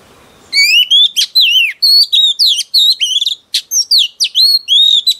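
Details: Female oriental magpie-robin, newly caught, sings to excite males, a rapid run of rich whistled phrases with swooping, up-and-down notes and buzzy accents after a brief faint background murmur.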